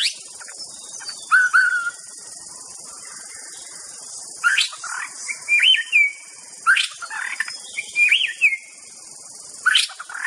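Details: White-rumped shama giving separate whistled phrases every few seconds, each a few clear slurred notes with sharp accents, against a steady high-pitched hiss in the background.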